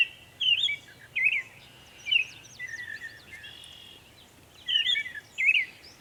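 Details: Northern mockingbird in Savannah, New York, on 23 May 2021, making many sounds: varied phrases of warbled, twisting notes between mid and high pitch, each burst lasting under a second and repeated with changing patterns, over a quiet background.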